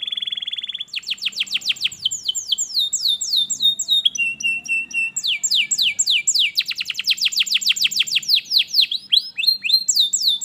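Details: Canary song meant to make an idle canary sing: a steady buzzy note followed by long, varied runs of rapid, bright descending notes and trills.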